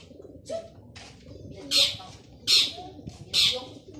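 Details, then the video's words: Male long-tailed shrike, singing lively, used to lure silent shrikes into singing: loud harsh, buzzy bursts repeated roughly every 0.8 seconds, with fainter rasping notes between them. "Burung cendet jantan gacor dor cocok untuk pancing cendet bisu"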